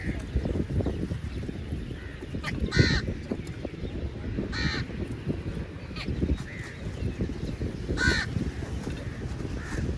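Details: A group of crows feeding together, with a few loud harsh caws spaced a couple of seconds apart and softer calls between, over constant low background noise.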